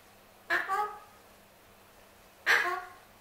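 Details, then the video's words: Two raspy, harmonic squawks about two seconds apart from a male pet Alexandrine parakeet asking for his apple, each loud at the start and trailing off quickly. "MY ALEXANDRINE PARROT WANTING HIS APPLE"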